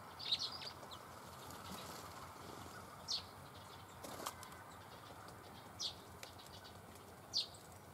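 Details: Red crossbill in the Eifel at Dohr, Germany, 24 October 2015, with bramblings present: four short, sharp high notes spaced two to three seconds apart over a steady rustling background with faint bird sounds.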